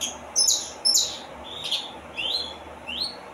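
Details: Saffron finch singing: a short run of sharp, high chirped notes, two loud bright bursts near the start followed by softer rising slurred notes, with a faint steady background hum.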